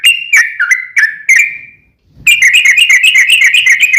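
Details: Sooty-headed bulbul in full, active song in the long rapid-fire ropel style, played as a lure so a caged bird answers: loud clear whistled notes slurring down, then a brief pause and a fast, buzzy, evenly repeated burst of notes.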